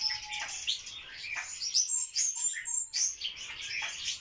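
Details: Captive barred warbler during its courtship dance gives dense, scratchy, high chattering notes in quick bursts, mixed with a few short, lower whistles.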